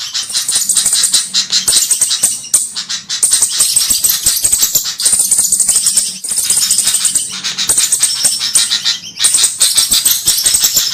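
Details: Trapping lure of cabe-cabean flowerpecker calls, meant to draw in Javan kemade birds: continuous bursts of sharp, thin, very high ticks and twittering chips, broken by brief gaps every few seconds, with a faint low background hum.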